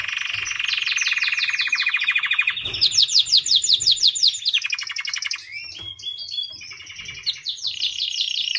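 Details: Continuous song of a white canary, moving through rapid rolling trills, rising sweeps and sharp repeated chirps with hardly a break.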